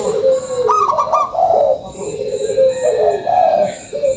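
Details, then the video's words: Local zebra dove in full voice giving a lure song: a quick series of high clipped notes, then rolling coos sliding downward, with a high whine in the background. "SUARA PANCINGAN PERKUTUT LOKAL GACORRR"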